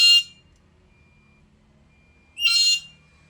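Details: Black-capped lory calling actively: two harsh, raspy screeches, one at the start and one about two seconds later, each lasting a fraction of a second, with near silence between them.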